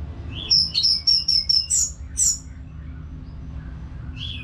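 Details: Caged orange-headed thrush in Singaraja, North Bali, singing without pause: a rising whistle, then a quick stutter of repeated high whistled notes and two sharp chirps, a short gap, and a fresh rising note.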